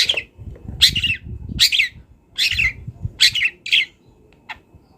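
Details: Wild long-tailed shrike, song recorded for training songbirds: harsh buzzy notes roughly once a second, each a short scratchy burst, over a low rumbling background.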